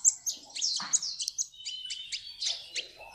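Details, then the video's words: A sunbird, used as a training recording, gives a thin, very high twittering song of quick sharp chirps and short metallic trills, tumbling along almost without pause. "SUARA BURUNG - Masteran Terbaik Kolibri"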